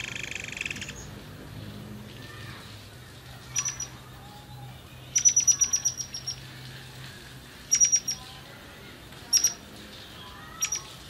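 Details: Forktail recording used to prompt other birds to sing: a brief buzzy burst at the start, then thin, piercing high whistles with ticking clicks in short bursts, including one rapid run of about eight notes.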